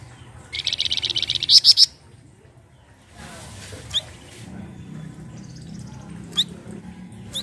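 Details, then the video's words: Flamboyan singing to draw other birds into song: a rapid high trill of about a dozen notes ending in a few piercing accented notes, followed by scattered single upslurred chirps against a faint low hum. "PANCINGAN BUNYI FLAMBOYAN BAHAN"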